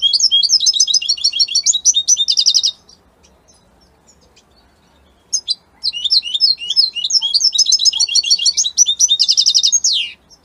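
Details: Italian European goldfinch sings two long bouts of dense, high twittering and fast metallic trills, separated by about three seconds of near silence; the second bout ends in a sweeping downward note.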